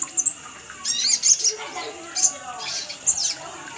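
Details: Lure recording of a sunbird calling: sharp, very high-pitched chirps in quick clusters, some doubled, with short gaps between bursts and a constant high background hiss.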